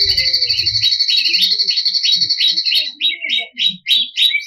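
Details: Champion greater green leafbird pouring out 'ngebren' song for stirring rivals: quick rolling notes repeated about four per second against a held high whistle, ending in separate sharp chirps.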